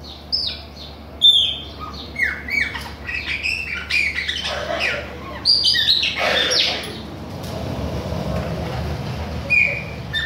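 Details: Chopi blackbird from Bahia, singing nonstop: varied whistled notes and sliding slurs in quick succession, some harsher, noisier bursts mid-phrase, ending in scattered sharp whistles; faint low hum throughout.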